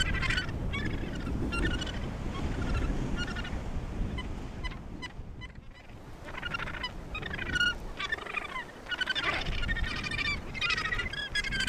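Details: Australasian gannets at the Point Danger breeding colony near Portland, Victoria, Australia: harsh, rasping harmonic calls from several birds overlap in bursts, with a brief lull midway, over a steady low rumbling background.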